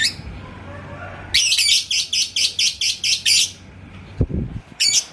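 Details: Indonesian yellow lovebird, called labet koneng, drawn by a rival's song into ngekek. A rapid, even series of about ten shrill chirps follows a short pause, then a lone note. A low thump occurs near the end.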